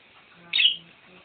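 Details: A male pet budgerigar, whose owner is trying to teach it to talk, gives one short, scratchy, high chirp that rises slightly then fades; owner thinks it is trying to speak.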